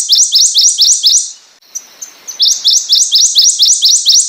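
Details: Prothonotary warbler song: a fast series of loud, high, rising sweet notes, about two per second. It pauses briefly with a few faint chips, then the same ringing series resumes.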